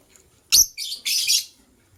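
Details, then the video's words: White lovebirds, a matched couple, chirping in the morning: a sharp click, then two harsh, raspy, high-pitched chirps in quick succession, the second longer and more buzzing, over a quiet background. "White LoveBird Chirping Sounds"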